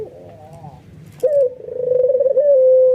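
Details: Excited albino white dove cooing as others join in: a soft wavering background coo first, then an abrupt loud hoot, a rapid purring roll, and a long even sustained tone to the end.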